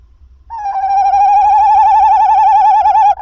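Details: Calling at a tawny owl nest ahead of the male's mouse delivery at 21:50. A close, steady note wavers quickly and regularly for nearly three seconds before stopping abruptly.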